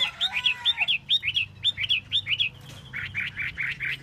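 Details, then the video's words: Chinese hwamei performing its tail dance, repeating a crisp two-part chirping phrase in a steady rhythm roughly every quarter second. It shifts to lower, fuller notes near the end over a low background hum. "Hoa mi mua duoi"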